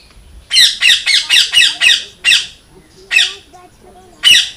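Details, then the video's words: Parrot calling loudly, given as natural parrot sound: a rapid run of six harsh, grating squawks in quick succession, then a pause and three more spaced-out raspy squawks. "Loud Parrot Chirping ll Natural Parrot Sound ll Parrot Calling Sound"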